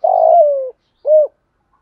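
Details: Spotted dove in the 'giọng thổ' and 'thúc' styles, for training lazy decoy birds: a long coo, slightly rolling at first then gliding down, followed by a single rounded hoot.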